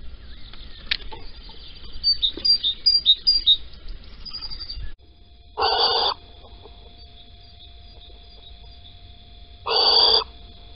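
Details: At dawn in Holten, 16 April 2020, 05:59, a male little owl brings a caterpillar with the female absent; soft chirping notes early on, then two loud rasping screech bursts about four seconds apart over a quiet background.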